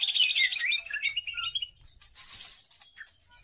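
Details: Greater green leafbird singing as a lure for other birds: a fast burst of buzzy, twittering notes, then clean downslurred whistles and a high ringing trill, followed by a lone falling whistle.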